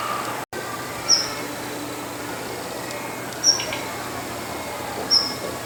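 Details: Female Daurian redstart calling from a rooftop in the morning: three thin, high, whistled notes, each very short and spaced roughly two to two and a half seconds apart, over steady low background hiss.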